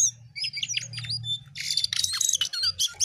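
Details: Jongkangan singing hard, a rapid, harsh jumble of high chips and squeaky notes that grows louder and denser halfway through, over a low background hum.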